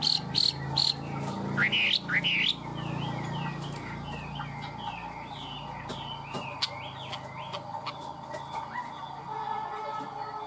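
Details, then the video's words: Captive Chinese hwamei: a few sharp high notes and rising slurs, then a quieter run of repeated twisting whistles over steady background noise and a low hum. "Chim họa mi thuần, hót tốt, hót cao cầu"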